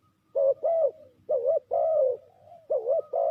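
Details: Decoy spotted dove used in trapping, repeating a two-note coo three times: a short wavering note followed by a fuller, longer falling coo, with gaps between pairs.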